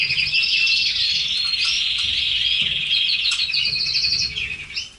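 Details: Caged red canaries singing a dense, high warbling song of rapid trills and thin whistled notes, fading out at the end.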